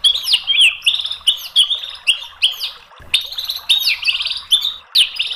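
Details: White-rumped shama song used as a training and lure recording: lively phrases of high swept whistles and quick chirps, repeated about every half second with brief gaps.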